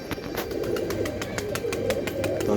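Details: Pigeon cooing in soft, low rolling notes, partly masked by a rapid series of sharp clicks and taps.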